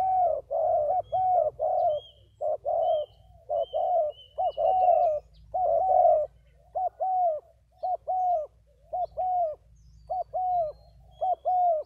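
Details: Continuous cooing from two decoy spotted doves: dozens of paired notes, a short coo then a longer falling one, in a steady rhythm for twelve seconds, with faint high whistles of other birds overhead.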